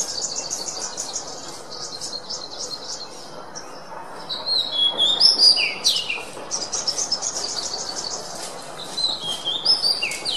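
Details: Oriental magpie-robin singing for songbird training: bursts of fast repeated buzzy notes alternate with clear whistled slurs and swooping phrases, in a lively, varied song.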